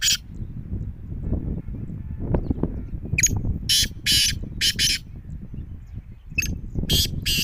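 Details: Black francolin uttering its harsh call: grating notes in a rhythmic series of four or five, then a further short phrase, over fairly strong low rumbling background noise.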